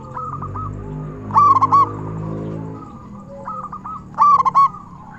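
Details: Indonesian local zebra dove with a big voice, used as a lure for other zebra doves: two bright, rapid cooing phrases about three seconds apart, softer doves cooing between them, and a low droning hum underneath.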